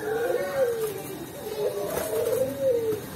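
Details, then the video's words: Perkutut Cemani zebra dove from Tulungagung cooing in its soft 'ulem' style: two smooth, low, falling coo phrases, with faint human sounds behind. "Perkutut Cemani Gacor dengan Suara ULEM yang Merdu"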